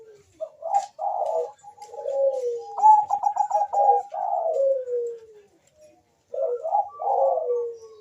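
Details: Fast-calling Bangkok zebra dove with a rival answering: soft rolling coos slide downward in pitch, broken by a burst of quick staccato notes, then a gap and a fresh descending coo phrase.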